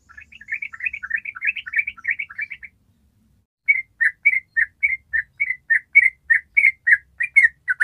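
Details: Yellow-vented bulbul (trucukan) in long rapid 'ropel' song, used as a lure to train untrained birds: a fast jumble of bubbly chirps, a pause, then clipped notes repeated almost twice a second.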